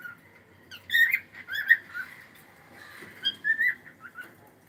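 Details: Cockatiel kept as a pet, uttering warbling whistled chirps that rise and fall, in two clusters separated by a softer stretch.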